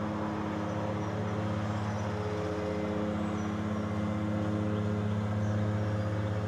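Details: Constant droning hum with steady tones, like an engine or machinery, and no animal calls.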